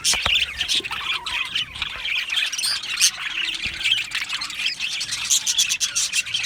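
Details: Budgerigar colony in an aviary, many Australian parakeets producing harsh squawky chirps and rasping twitters in a dense, unbroken chorus.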